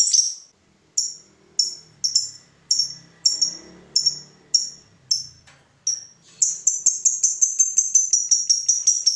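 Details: Lovebird giving spaced high sharp chips about every half second, then breaking into a quicker chattering ngekek trill, a call meant to provoke other lovebirds into singing; faint low background noise.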